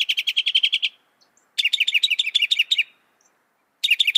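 A Northern Mockingbird sings bursts of rapid, repeated high chips, each phrase about a second long with short pauses between, borrowing notes from other birds.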